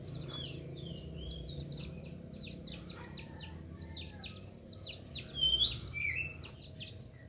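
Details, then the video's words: A meranti bird in active song, a steady run of high, sharply falling chirped notes repeated rapidly and somewhat faintly, with a brief louder twittering flourish near the end over low background hum. "Burung Meranti Gacor"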